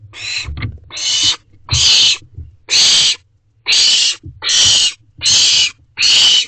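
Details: Night at an owl box, 26 June 2023, where several owlets perch together. A rapid series of eight rasping, hissed screeches follows one another with short gaps, about one each second, over a low background hum.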